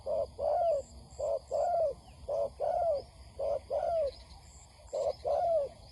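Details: Female spotted dove calling as a lure to stir males for trapping: low paired coos, a short note then a longer slurred falling one, repeated roughly every second, with faint high whistles in the background.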